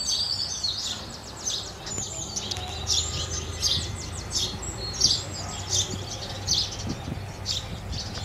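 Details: Busy chirping of house sparrows, dense quick chirps running almost continuously and overlapping, over a low rumbling background.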